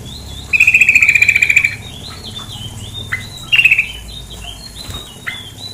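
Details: Female sooty-headed bulbul giving a rapid pulsed rattle lasting about a second, roughly a dozen notes at steady pitch, then a shorter burst, with faint chirps of other birds behind.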